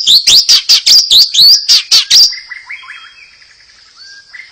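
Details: White-rumped shama singing to prompt other birds: a fast, loud run of repeated ringing chirps over two seconds, then soft, quieter whistled notes fading out.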